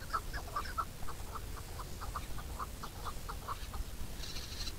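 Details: Chukar giving a steady series of short, clipped notes, about three to four per second and evenly spaced, over a low rumbling background, with a brief hissing burst near the end.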